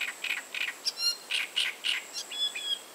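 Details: Great reed warbler singing: a run of harsh, grating, chunky notes repeated about three times a second, with a few higher squeaky notes between them and a faint steady high tone running throughout.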